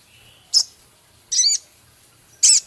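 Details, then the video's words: Male Javan cochoa singing with a full mimicked repertoire that includes minivet-style rapid ticking and harsh chattering, here as three short, high, buzzy bursts separated by silence. "Masteran Burung Sogon Jantan gacor isian full Sepah raja ketikan crecet kasar"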